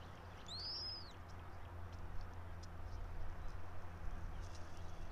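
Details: Bald eagle at a nest in a tall pine, Johnson City, Tennessee, early morning of 04.03.2024; a single high, arched whistled squeal near the start, then only soft low background noise and faint ticks.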